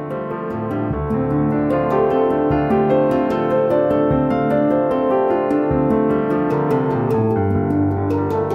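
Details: Piano and keyboard music plays throughout with steady repeated notes, and no animal voices can be heard.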